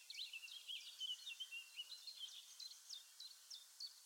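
A Eurasian blackcap gives a fast, scratchy warble of high chattering notes, tumbling about three a second, over a soft hiss of background noise.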